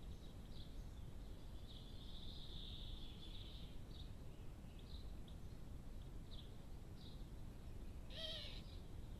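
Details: Eurasian blue tit gathering nest material while building a nest, 22 April 2015, around 9:53 am, Cambridgeshire, UK, gives thin, high, scattered notes with a brief harsher burst near the end, over a steady low rumble of wind or traffic.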